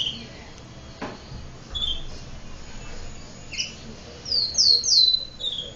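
Domestic canary giving bright, high chirping notes, a few scattered ones and then a quick run of four near the end, over a steady background hiss.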